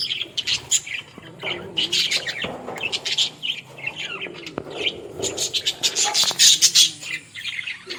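Budgerigars chatter busily, with rapid high chirps, squeaks and warbles tumbling over one another at an uneven pace, as from several birds together.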